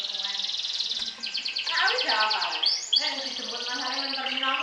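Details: Champion canary with a sobek-style song, trilling to overpower and provoke opponents: dense rapid buzzing trills shift pitch midway, with a brief rising slur near the middle and a lower running trill beneath.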